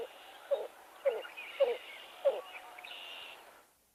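Pied-billed Grebe giving low hollow cooing notes, four spaced about half a second apart, with faint higher whinnying notes over a soft hiss.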